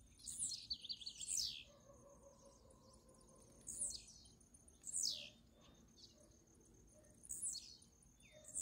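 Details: Blue-black grassquit, a free bird contesting with a caged one: short high buzzy downslurred phrases, repeated at irregular intervals with quiet gaps between.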